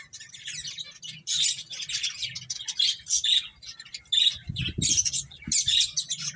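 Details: Several finches chirping while eating, giving a busy stream of bright high chirps and short squeaky notes in quick bursts, with a few lower knocks or rustles near the end.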